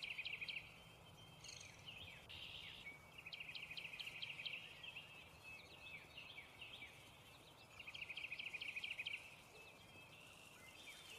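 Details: An American kestrel eating prey utters repeated bursts of fast, high, rattling chitters, each lasting a second or two with short pauses between, over steady low outdoor noise.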